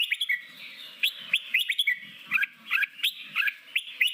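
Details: Red-whiskered bulbul forest-style training song for newly caught birds: quick chirpy whistled notes, several rising slurs in pairs about every third of a second, lively and steady, with faint low rumbling underneath.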